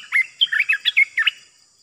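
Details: Cream-vented bulbul kept as a trapping decoy, delivering a fast string of about six loud, clear, warbling notes, each slurred up and down, then fading to quiet.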